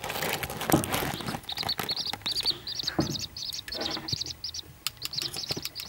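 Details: Seven-day-old captive-bred corncrake chicks in County Offaly, Ireland, being fed by a masked keeper: rapid runs of high, thin peeps, many in quick succession with short gaps, over soft rustling and clicking.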